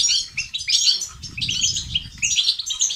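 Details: Short burst of European goldfinch song, 'tibtiba' and 'sitsat' style, meant to prompt males to sing: clear chirping phrases with rising and falling notes, a low fluttering murmur in the middle.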